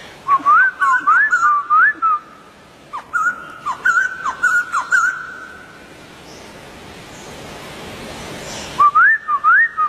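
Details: Wild White-crested Laughingthrush giving clear whistled phrases of rising, looping notes, in bursts with a quiet gap of about three seconds before the whistling resumes.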